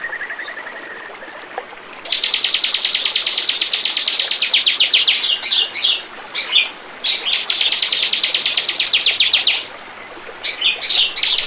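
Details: Bar-winged prinia song played as a bird lure: after two seconds of faint, thin, high ticking, loud rapid chip notes burst in, come in fast trains with brief gaps, pause, then restart near the end.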